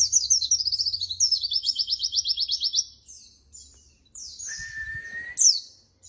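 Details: Pleci white-eye song kept to teach other birds: a fast run of regular sharp high notes, then short high chirps, a steady lower pure whistle held about a second, and a final bright upward flick.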